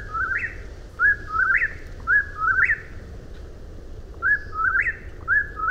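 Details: Repeated whip-poor-will song: clear whistled three-note phrases ending in an upward slur, delivered about once per second, with soft low-frequency background noise.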